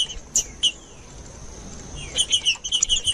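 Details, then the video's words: Green-winged saltator (trinca-ferro) song used to make a cold caged bird start singing; two sharp notes, a pause with a soft descending slur, then a fast series of short repeated notes over light background noise. "ESQUENTAR TRINCA FERRO FRIO"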